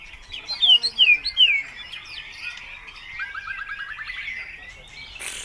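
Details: White-rumped shama singing a rich, imitation-filled song used as a lure to prompt other birds to answer: three loud slurred whistles open it, then softer twittering and a fast rattling trill.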